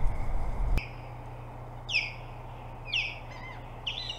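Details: Osprey at the Hog Island boathouse nest in Maine during an altercation between several ospreys wanting the site. Three sharp, high, falling whistled calls come about one second apart after a brief knock, against a low steady hum.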